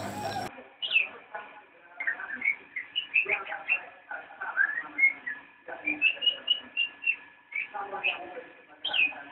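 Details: Javan white-eye, locally called cicak rowo, singing in the nyinden style: a rich, fast warbled song of varied whistled notes and bright chirps, delivered in bursts of a second or two separated by short pauses.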